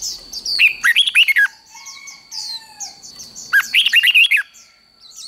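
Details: Red-whiskered bulbul contest song, recorded for training birds to sing in competitions: two loud bursts of quick, bright, warbling whistled notes with rising and falling slurs, separated by a pause. Softer high chirps from other birds carry on underneath.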